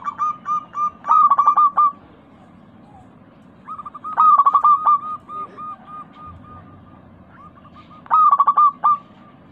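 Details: Local zebra dove (perkutut) lure recording for prompting a caged dove to sing: loud bursts of rapid, trilled coos near one pitch, followed by evenly spaced softer clipped notes, bursts recurring every few seconds over low background hiss.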